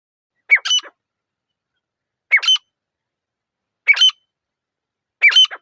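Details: Grey francolin, called teetar and described as a lively pair, in a quiet forest: four harsh, ringing multi-note phrases about one and a half seconds apart over total silence.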